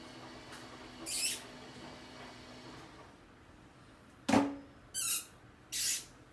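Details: Rose-ringed parakeet giving loud, harsh, broadband screeches, four short bursts in the second half after one earlier call, in a quiet room.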